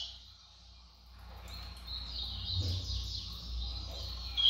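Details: A double-collared seedeater shows off its speed with a rapid, high, run-together twittering song that starts after a quiet opening and keeps up without a break, over a low background rumble.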